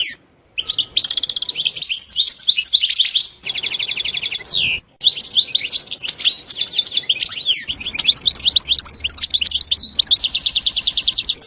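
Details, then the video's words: European goldfinch singing a style with the ستستة and بتبتة passages, described as very stimulating: bright, rapid twittering notes high in pitch, broken by two dense buzzy trills and a brief pause midway. "تغريد حسون روعة ستستة وبتبتة خرافية محفزة جدا goldfinch jilguero chardonneret"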